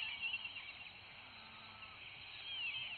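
Darwin's nothura giving thin, high whistles that briefly rise and fall, heard at the start and again near the end, over a steady hiss of background noise.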